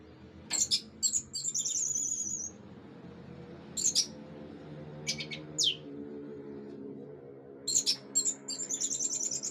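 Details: Orange-headed thrush giving sharp, very high, scratchy notes and short trilled bursts separated by pauses of a second or more, over a steady low hum.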